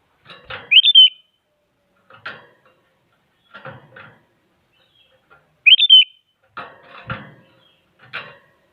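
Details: Sooty-headed bulbul singing to goad other bulbuls into song: two loud three-note whistled phrases about five seconds apart, separated by repeated short, harsh, broadband scratchy bursts.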